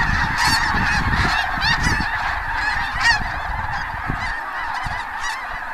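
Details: Hundreds of snow geese lifting from cornfields at Bosque del Apache just before sunset in January 2014 give a dense, continuous chorus of nasal, high honks and squawks; sandhill cranes trill from the fields.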